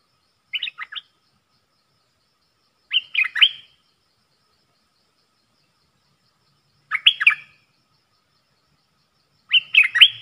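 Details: Bulbul in a song duel between a caged bird and wild birds, 3 October 2021. Four short, rapid warbled phrases spaced two to four seconds apart, each a cluster of a few jumping notes, somewhat distant.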